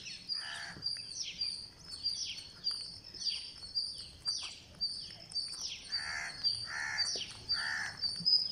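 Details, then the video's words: Green parakeet at feeding time on day 49 gives harsh, buzzy, harmonic begging bursts, several in a row near the end. Thin high chirps and quick falling whistles from other birds run steadily behind. "GreenParakeet Feeding"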